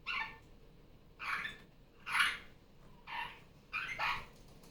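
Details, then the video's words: Pet female superb parrot, called a Barraband parakeet, loud again during Sunday morning playtime after coming off her nest: six harsh, broad squawks spaced about a second apart, with faint background noise. "Barraband parakeet sounds. Sunday morning playtime."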